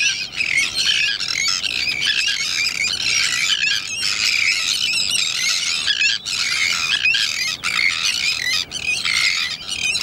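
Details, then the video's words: Noisy Sandwich tern breeding colony at the Salins d'Hyères in southern France, chicks about to fledge; a wall of raucous, screeching calls from numerous birds, nearly continuous with brief dips, high-pitched and harsh. "Sterne caugek"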